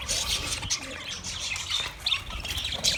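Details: Budgerigars recorded on 29 February 2024 twitter softly in an overlapping, buzzy chatter of high notes, a few clearer chirps rising above the steady murmur.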